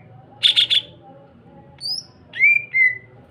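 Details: Greater green leafbird song meant to stimulate other green leafbirds to sing: three rapid buzzy chattered notes, a high thin whistle, then two drawn-out slurred whistles falling slightly in pitch, over a low background hum.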